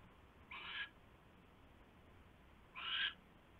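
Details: At a nest on a live camera shortly after midnight, 27 January 2016, an owl arrives with a huge rat; two rasping, broadband hiss-screeches sound about two seconds apart over quiet background noise.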